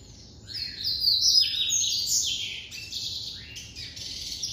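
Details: Captive White-collared seedeater singing the classic song style: a fast, varied string of high, sweet whistles and buzzy trills that slides up and down, loudest early, then a second burst of notes.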